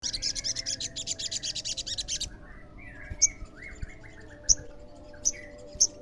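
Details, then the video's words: Olive-backed sunbird song meant to provoke other sunbirds into answering: a dense, rapid, buzzy high trill for about two seconds, then isolated sharp piercing chips at irregular intervals over soft, lower descending whistled notes. "SEMUA SOGON PASTI NYAUT PASTI GACOR DENGAR SUARA SOGON GACOR INI"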